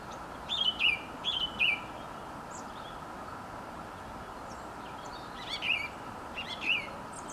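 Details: Bird song recorded at Ballymascanlon Hotel, Dundalk: two brief bursts of high chirping notes, each a quick pair of descending twitters, separated by several seconds of quiet steady background noise.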